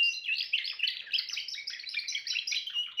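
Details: Timbrado canary song: quick, closely packed trilled phrases repeating steadily, bright and metallic, flowing without pause for the whole stretch.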